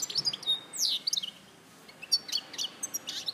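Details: European goldfinch, Larache, 2014: a quick run of high tinkling chirps and a sliding note, a brief pause, then scattered sharp twitters.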